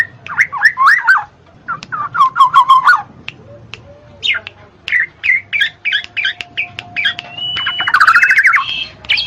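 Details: Black-naped oriole (kepodang mas), used as therapy to get idle birds singing. Rich, slurred fluty whistles and rolling warbles alternate with bursts of quick clipped notes. A thin steady tone and a scratchy rising phrase come near the end.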